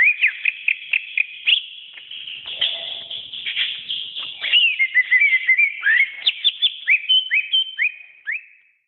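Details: Greater green leafbird singing a varied, continuous song: a fast series of short whistled notes, then a dense chattering stretch, followed by looping slurred whistles and sharp rising-falling chirps.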